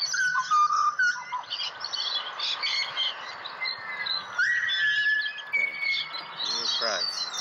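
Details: Wild pied butcherbird in Australia, urged in turn to sing: pure whistled notes that rise and fall, one long rising slide, set against a busy chorus of high chirping birds and brief human speech near the end.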